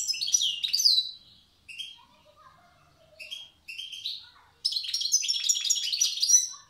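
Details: Wild European goldfinch from Tiaret in the old song style: a vigorous twittering burst, scattered single chirps and soft lower notes, then a sustained run of fast, buzzy, tinkling phrases.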